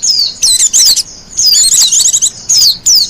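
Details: Wild white-eye in song, used as lure and master song: quick high-pitched chattering trills mixed with sliding downward whistles, three to four dense bursts broken by brief gaps.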